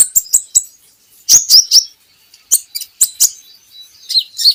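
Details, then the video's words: Van Hasselt's sunbird song used to get captive birds singing: clusters of loud, high chirps and sharp ticks, with quick twittered notes in short groups. "PANCINGAN KOLIBRI NINJA Bahan Agar Bunyi || MASTERAN Konin Agar Cepat Gacor"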